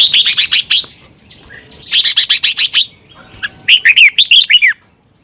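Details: Thai Red-whiskered bulbul song played to caged birds so they learn it: three fast runs of notes, the first two evenly pulsed and buzzy, the third made of clear whistles that fall in pitch.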